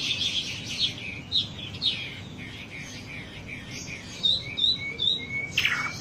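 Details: Wambi song from a lure recording: soft, breathy high warbles over steady background hiss, then a few clearer, short whistled slurs near the end.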